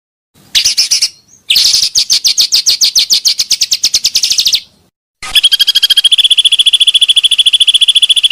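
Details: Pancawarna bird sound for luring: a long rapid trill of high, evenly repeated notes, a short gap, then a continuous fast stuttering series of thin high pulses.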